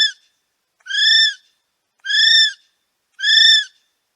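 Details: A male kiwi at Paignton Zoo gives shrill, high, slightly arched whistles, each about half a second long, repeated roughly every second with silence in between.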